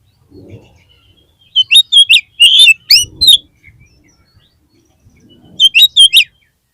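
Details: Kacer, the oriental magpie-robin, in a lure song to encourage a caged bird to sing: a quick series of loud, clipped whistled notes, a pause, then a shorter repeat of the same bright chirps, with faint low thumps.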